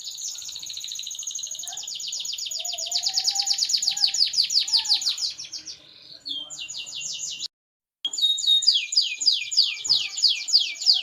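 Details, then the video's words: Canary song said to make other canaries sing along: long runs of fast, high repeated trilled notes, some rolling downward, with a brief gap near the end and a faint lower warble beneath. "BURUNG KENARI LAIN, PASTI IKUT BUNYI DENGAR SUARA JERNIH INI"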